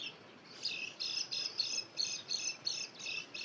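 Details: White-eye song used to lure wild birds: high chattering bursts, each about a quarter-second, repeated roughly every third of a second, over a soft hiss of background noise.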